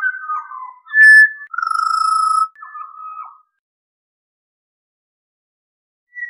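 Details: Pied Butcherbird giving low, mellow fluting notes, including one long, steady, pure whistle and a short wavering phrase, then silence.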